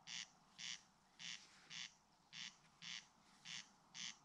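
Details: A corncrake in Ridala, West Estonia, in summer 2019 gives dry, rasping bursts, about two each second and evenly spaced, with a faint low hum behind.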